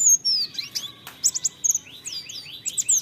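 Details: White-eyes in a fast, high twittering song of thin chirps and quick slurred whistles, several voices overlapping with no pause; used as a lure to stimulate other white-eyes to sing.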